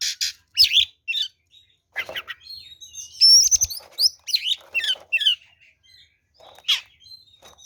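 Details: Kacer fighting song used to provoke rival birds: varied, excited phrases of raspy chatter, long thin high whistles and downward slurs, loud and continuous with few pauses.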